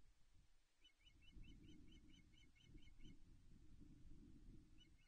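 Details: Ospreys at the Loch Arkaig nest in Scotland on 17 May 2021, around a mating at the nest: a fast series of about ten short, sharp, high chirps, then a brief pause and more chirps, over steady low wind rumble.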